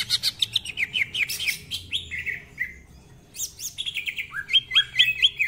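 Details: Greater green leafbird delivering a varied song full of imitated phrases: quick chattering and squeaky notes, a falling slur, a short gap, then harsh bursts and a final row of rising whistled chirps.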